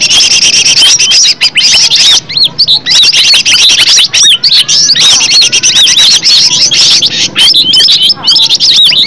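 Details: Green leafbird singing in the wild, offered as an original lure song. High, sweet slurred whistles and quick chips pour out nonstop, a rich jumble of notes with only short breaks.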